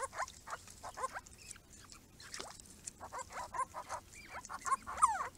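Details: Grey-crowned Babblers visiting a garden pond, loud bouts of rapid slurred chattering notes from several birds, pausing briefly and resuming in irregular bursts.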